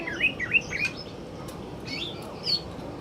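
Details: Afternoon song of a male greater green leafbird, quick bright whistled notes sweeping up and down, a handful of chirps in the first second, then higher squeaky phrases after a short pause, over a low steady background hum.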